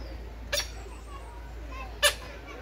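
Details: A tarictic hornbill at Drayton Manor on 29 July 2022 flies across its enclosure, then gives two short, harsh, nasal notes about one and a half seconds apart over a low steady hum.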